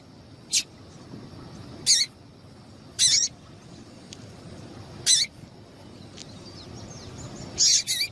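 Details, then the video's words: Female Double-collared Seedeater (coleiro) gives short, sharp, high chip notes at irregular one-to-two-second intervals over faint hiss; a call used to stimulate male coleiros to sing. "Piado de Fêmea de Coleiro para Foguear Coleiro tui tui"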